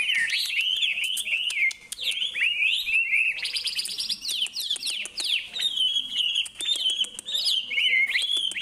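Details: Bird heard in Indonesia giving a continuous, strong whistled song of swooping, looping notes and trills, punctuated by frequent crisp clicks.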